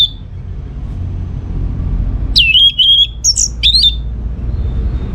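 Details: Orange-headed thrush song from Singaraja, North Bali, used to draw replies from other birds: after a quiet start, a run of clear whistles, a slurred downward note, then short chirps and a trill, over a low background hum.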